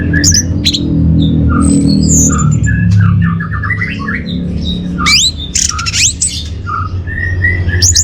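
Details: Orange-headed thrush song used to stir and tutor caged birds: varied high chirps, sharp rising whistles and buzzy notes in an irregular rush, then steady level whistles, all over a heavy low rumble.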